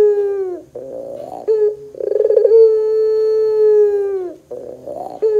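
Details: Pelung Barbary dove cooing as a singing lure: a falling coo, rolling stuttered notes, then a long even low coo tapering downward, followed by more rough rolling notes.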